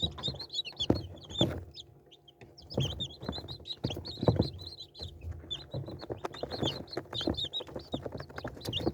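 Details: Chicken chicks peeping: many thin, high cheeps in clustered bursts throughout, mixed with heavy low thumps and rustling handling noise.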